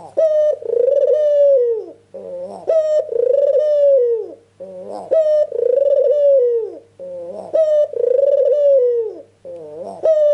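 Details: Ringneck dove calling vigorously, a recording used as a lure so that other doves answer: long, rich, slightly falling coos of about a second and a half, each introduced by a short rising note, repeating steadily over a faint low hum.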